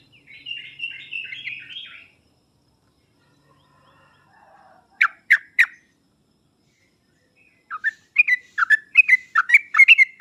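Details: Sooty-headed bulbul used as a master recording to provoke reluctant birds: a wavering warble opens, then three sharp notes follow, and the clip ends with a rapid run of bubbly slurred notes.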